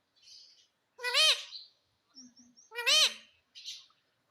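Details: Indoor pet parrot that says mitthu and mummy; two strong arched, reedy syllables about two seconds apart, framed by soft hissy chirps and faint low notes.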